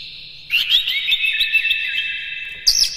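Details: Captive-bird stimulation recording of an Oriental magpie-robin (kacer) in the morning: dense, continuous babbling warble of quick high notes, ending in a sudden louder, higher burst of chattering.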